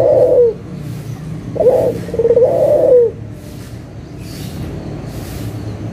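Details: Vigorous local Barbary dove, recorded as a lure for doves that have gone quiet: the end of one coo, then a full coo with a short note and a long rolling purr, then several seconds of faint hum.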